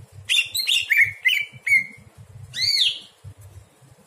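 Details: Greater green leafbird singing after dark as tutor material for other songbirds: a tumbling sequence of clear descending whistles followed by a rich arched sweep, with faint low pulsing noise beneath.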